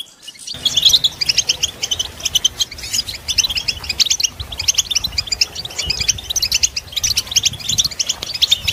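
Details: European goldfinches in a group twittering chorus, used as stimulation to make captive males sing. After a half-second hush comes dense, high, tinkling chirps and trills, overlapping continuously with no pause.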